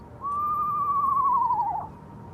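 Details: An eastern screech-owl perched on a tent by the water, calling repeatedly for about 20 minutes, gives one long, mellow trill of about a second and a half, holding an even pitch before sagging slightly and quavering at the end.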